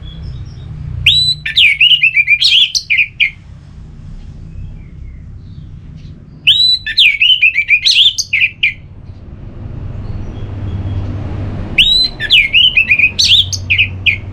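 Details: Orange-headed thrush (anis merah) ngeplong song played to make another bird sing: three loud phrases of rapid warbled whistles and chips, each about two seconds, spaced roughly five seconds apart over low hum.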